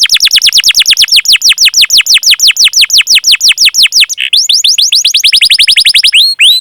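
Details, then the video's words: Canary delivering fast cuit-cuit chirping with rolling phrases, played as training audio to get other canaries, including young birds and ones that stopped singing, to sing. Rapid, steady series of sharp downslurred whistles, shifting to higher, thinner notes near the end. "Masteran Suara Burung Kenari Gacor Panjang cuit cuit Ngerol untuk Pancingan Kenari!"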